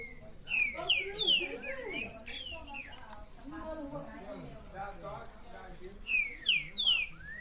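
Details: Green-winged saltator (trinca-ferro) singing the classic song style (canto clássico) in Afonso Cláudio, Espírito Santo, Brazil, 13 June 2017 at mid-afternoon: loud slurred whistles sliding downward, given in quick runs of about three, with murmuring voices behind.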